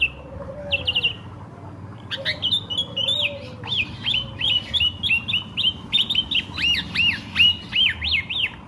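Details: Drongo song played to draw in nearby birds: after a few short whistles, a fast run of repeated rising and falling whistled notes, almost three per second, growing louder toward the end over a low murmur.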